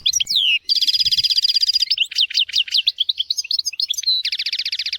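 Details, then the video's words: Tutor song of a European goldfinch for training goldfinches and canaries: a sweeping whistle, then a dense buzzy trill, a run of liquid twittered notes and a second buzzing trill at the end. "تغريد طائر الحسون حفاضة لتعليم طيور الحسون والكناري بدون أخطاء"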